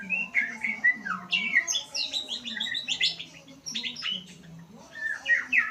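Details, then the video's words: White-rumped shama learning to sing: a fast, varied run of clear whistled phrases, slurred notes and short trills, some rising, some falling, while a low wavering hum runs steadily underneath. "Murai pastol belajar Bunyi"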